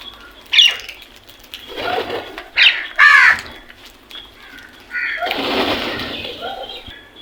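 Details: Several crows cawing in the morning: a sharp short call, then a run of harsh hoarse caws, and a longer, broad rasping cry, mixed with other faint bird sounds.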